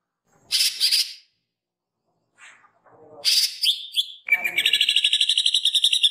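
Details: Green leafbird kept as a songbird, singing woodpecker imitations for training: harsh raspy bursts and sliding whistles, a descending slur, then a fast rapid trill of evenly repeated high notes building to the end.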